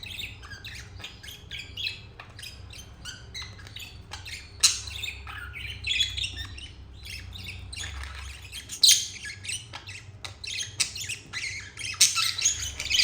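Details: Two pet budgies, turquoise and jade, in a happy moment: long stretch of continuous scratchy warbling and chattering chirps, occasional louder squawky bursts, growing busier toward the end, steady low hum underneath.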